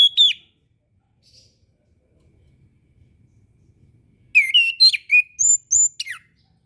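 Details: Orange-headed thrush singing, recorded as a master track for learning birds; a brief whistle, a long pause, then a lively phrase of looping, slurred whistles and high thin notes.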